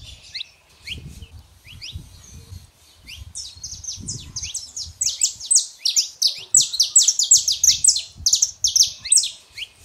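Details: Saffron finches, male and female. Quiet scattered chirps at first, then a loud, fast, continuous run of high, sharp, downslurred notes through the second half.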